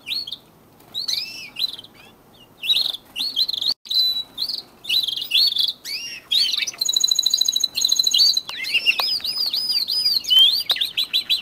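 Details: Pet domestic canaries in early March as the breeding season begins, with nest building and competition among the birds. The song is a continuous run of high, varied chirps, sweeping notes and fast rattling trills that grows denser and louder toward the end.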